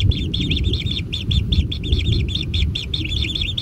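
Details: Kingfisher chicks in a natural nest being fed, producing short, rasping high chirps in rapid clusters, against loud low-frequency rumbling.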